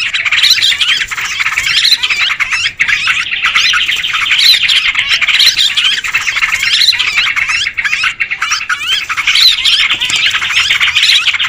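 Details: Yellow-vented bulbuls in a lure recording chatter nonstop in a noisy, bubbly tangle of harsh and liquid notes, as if several birds were squabbling at once.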